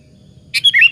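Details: Single quick phrase from a sooty-headed bulbul, used as a lure for other bulbuls: a sharp opening note followed by two slurred, liquid whistles, loud and close.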